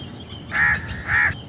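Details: Indian crow giving two harsh, nasal caws about half a second apart, each strong and slightly arched in pitch, over a low background hiss.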